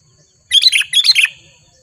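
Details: Wild sooty-headed bulbul in the city of Lubuklinggau challenging a rival: two quick bursts of bright, bubbly chirping notes about half a second apart, then quiet.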